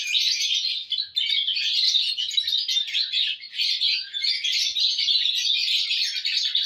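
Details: Lovebirds in a joyful mood, June 1, 2022, filling the air with continuous shrill, buzzy chatter and rapid squeaky chirps, barely pausing.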